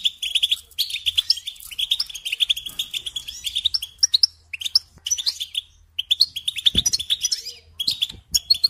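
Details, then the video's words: Long goldfinch song phrase from a kept bird, repeated bursts of rapid liquid twitters and chirps with brief gaps, a low bump near the end and faint background hum. "Supporting and Singing Along with Goldfinches"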